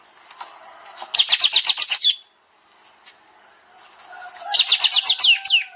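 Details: Bulbul in a master recording for songbird training, the 'tembak' shooting style: two fast rattling bursts of about ten high, falling chirps each, separated by a brief pause with soft high whistles.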